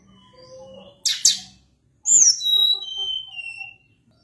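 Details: Sunda blue robin in full, lively song: a couple of sharp high notes, then a run of clear whistled slurs sliding downward, over a faint low background hum.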